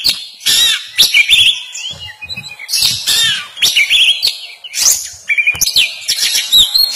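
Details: Young white-rumped shama learning to sing: bursts of varied high chirps, trills and whistled phrases, loud and irregular, with clicks and thumps between phrases and a faint low hum beneath.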